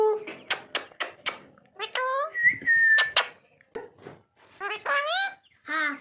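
A green parrot chatters in short, voice-like syllables with a few sharp clicks and one steady, high whistle, all sounding close in a small room.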